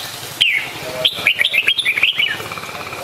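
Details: Red-whiskered bulbul giving a lively, liquid warbled phrase of quick chirpy notes that rise and fall, lasting about two seconds after a single opening note, with a faint steady hiss behind.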